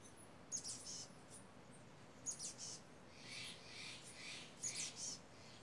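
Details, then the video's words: Two chattering crows in misty redwood trees on a mountain, agitated while a hawk perched nearby; coarse, hoarse caws in brief clusters, then a longer run of rougher calls over gentle wind noise. "Noisy Crows"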